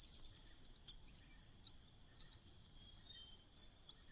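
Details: Common cuckoo chick in a host nest giving shrill, high-pitched chattering begging calls in rapid bursts, about four bursts in four seconds, each dense and buzzy with short gaps.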